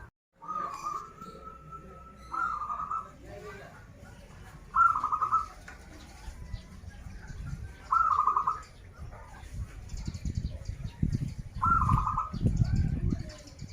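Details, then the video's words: Local zebra dove from Banten in full song, in a recording featuring krital and warung kebek song styles: four short vibrating, trilled coo phrases about every three seconds, with low rumbling background noise toward the end. "Perkutut lokal gacoran suara krital, warung kebek, dan suara aneh"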